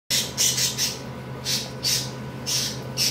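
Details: A pet budgerigar throws a hissy fit indoors, giving a rapid run of harsh, noisy squawks, about eight bursts in three seconds, over a steady low hum.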